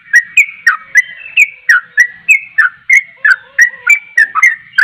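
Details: Javan pied starling in full, insistent song meant to prompt other starlings to respond: bright whistled notes, some rising and others dropping, delivered rapidly at over three per second without pause.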